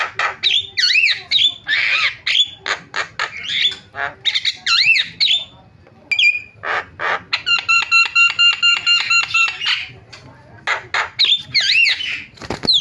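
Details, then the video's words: Starling (jalak) calls used as a lure to make other starlings call: a dense run of harsh, rasping squawks and looping whistles in quick bursts, then a steady, rapid train of clicking notes, then more squawks. "MASTERAN JALAK SUARANYA BIKIN JALAK PADA TERIAK"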